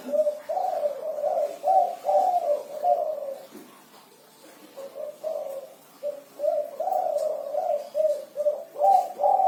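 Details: Spotted dove singing actively in the kuku 6 style, a low hollow cooing that rolls through a series of connected notes, pauses for about two seconds, then resumes with another chain of soft, pulsing coos.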